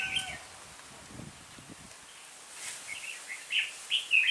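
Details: Lead decoy red-whiskered bulbul calling a flock during trapping, 26 November 2017; after a quiet stretch with low rustling, short clear chirped notes come in a lively burst, growing louder toward the end.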